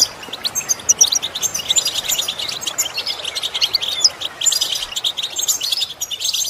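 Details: Goldfinch singing, played as a lesson to improve another goldfinch's song: a continuous high, rapid twitter of tinkling chips and brief whistles, steady throughout with little pause.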